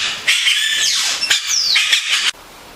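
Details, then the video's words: A yellow-rumped cacique sings a two-second burst of harsh, crackling notes woven with high whistled slurs, one sliding down and one sweeping up, then stops abruptly. "Xexéu cantando"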